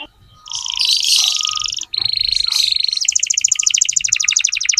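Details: Tutoring song for young canaries from a lively lure canary: a harsh buzzy passage, a steady whistled tone, then a fast even rattling trill to the end.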